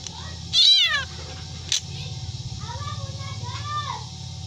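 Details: A black drongo copies a cat with one loud, falling, harmonic-rich meow, then a sharp click and faint softer arched notes over a steady low rumble.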